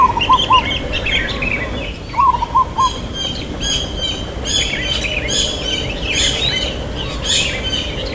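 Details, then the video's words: Local zebra dove singing in the 'irama lelah' (tired rhythm) style with a long 'kuk' note: two bursts of about four quick, low, clipped cooing notes separated by a pause, while other birds chirp and twitter high-pitched in the background. "Perkutut Lokal Suara KUK Panjang IRAMA LELAH"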